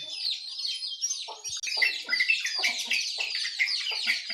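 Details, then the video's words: Dense morning birdsong from jongkangan, yellow-vented bulbul and white-eye: high rippling twitters overlaid with short clipped chirps, growing fuller and louder after the first second and a half. "Suara Burung Jongkangan, Terucukan , Pleci di pagi hari"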